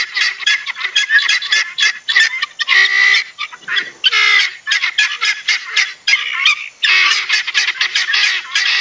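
Guineafowl giving harsh, rapid, rattling cackles, several birds calling over one another.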